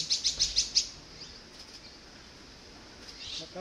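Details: Young azure-winged magpies near fledging greet parents arriving with food after a long absence: five quick, high, sharp chirps in under a second, then near silence with faint distant calls and low background noise.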